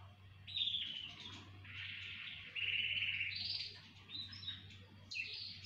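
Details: A chorus of canaries singing: a run of sustained trilled and rattling phrases at high pitch, shifting from one flat buzzy tour to the next, with short pauses between bursts and a low steady hum underneath.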